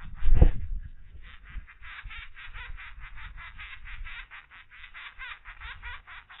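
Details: Grown woodpecker young begging as a parent feeds them: a steady series of harsh, raspy, buzzy notes, roughly three per second, following a single low thump at the start.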